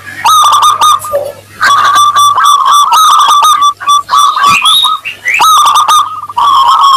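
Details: Lively local Zebra dove with a 'crystal' voice, played to prompt other doves to respond: nearly continuous loud rattling coo phrases, a few rising whistled notes in between, and a low hum in the background.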